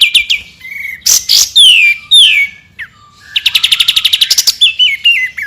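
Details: White-rumped shama 'tembakan' song for training champion birds: loud clear whistles slurring downward, harsh bursts, then a fast stuttering rattle of about a dozen notes and stepped falling whistles.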